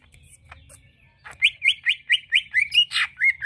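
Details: Lure song of a greater green leafbird meant to draw a reply: after a soft start, a fast series of about nine sharp, rising and falling whistled notes in steady rhythm, with a faint low hum beneath.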